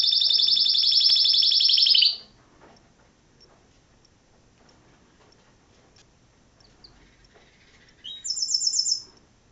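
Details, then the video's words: Pet canary in a home in Sarajevo singing: a long rapid trill lasting two seconds, then a quiet gap, then a higher and shorter trill near the end. "Kanarinac - Canary singing Sarajevo"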